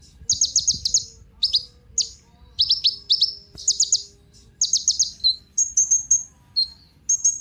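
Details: Sunbird called kolibri ninja, a lure for prompting other birds: clusters of quick, shrill stuttering chips alternate with single high notes and a few drawn-out thin whistles near the end.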